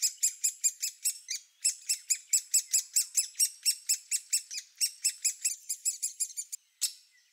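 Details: Great Spotted Woodpecker nestlings in their nest cavity before fledging, a rapid series of loud, harsh high chirps in rhythmic bursts, more than two per second, with short pauses between runs.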